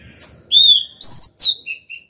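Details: Song of a female white-rumped shama calling the male: a sequence of loud pure whistles, long and slurred, then two or three brief clipped lower notes.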